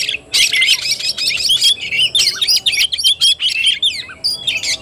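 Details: Oriental magpie-robin in fighting-style (tarung) song recorded 17 August 2021, a rapid run of sharp whistles and chattering notes after a short quiet opening, bursts repeated in quick phrases.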